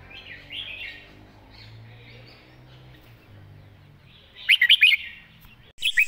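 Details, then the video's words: Red-whiskered bulbul kept in a cage, singing its main song pattern clearly: soft twittering and low hum at first, then a loud, fast phrase of about five bubbling, whistled notes, with a brief extra note just after. "วางสำนวนชัดๆ"เดินเพลงแม่บท ชัดถ้อยชัดคำ"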